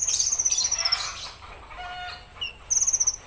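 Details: Konin singing a rough 'tembakan kasar' burst: a long high rapid rattle that falls slightly, a pause with faint whistles, then another fast rattle at the end.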